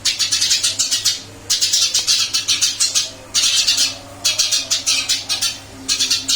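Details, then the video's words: Caged Eurasian tree sparrow, still singing actively after moving to a new cage: rapid bursts of harsh, high chirps, each run lasting over a second and separated by short pauses, with a steady low hum underneath. "Burung gereja pindah sangkar Alhamdulillah tetap gacor mase"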